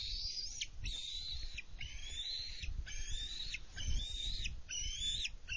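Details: Juvenile bald eagle at its nest, 24 June 2020, with both adults bringing prey; repeated high whistled notes, each slightly rising then dropping, about one per second, above steady low rumble.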